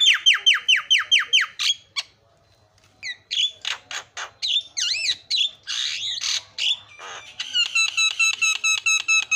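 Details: Asian pied starling in full lure song aimed at provoking rival starlings: a fast run of descending whistled notes, a brief pause, then mixed squawks, warbles and wavering whistles, ending in a rapid buzzy repeated trill.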